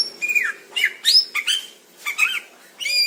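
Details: Indonesian greater green leafbird, recorded in the wild, delivering a few well-spaced whistled phrases with bending, down-slurred and up-slurred notes, fairly soft, separated by short quiet gaps.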